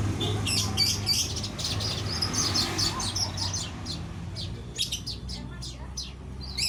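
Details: Caged female weaver calling to the male, giving rapid high scratchy chips in clustered bursts, about three per second, with a constant low rumbling background hum.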